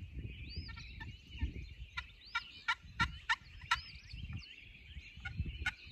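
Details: Wild Turkey gobbler with a lot of hens, pressured bird near its roost at daylight in spring: a burst of rapid, rattling gobble notes, several loud pulses in quick series, with songbirds whistling behind and low wind rumble.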